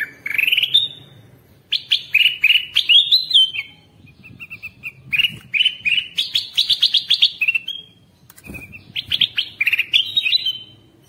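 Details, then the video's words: Bulbul (kutilang emas) lure and tutor call used to draw wild birds closer: bright, chirpy phrases of quick rising and falling notes, repeated in bursts every couple of seconds with short pauses between runs. "Kutilang Emas, Masteran Pikat"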